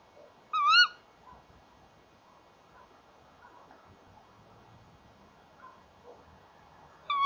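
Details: At a nest box on 30 January 2014, 19:31, a tawny owl pair calls together; a sharp, nasal kewick opens, followed by faint background rustle and hiss, then another kewick begins at the very end.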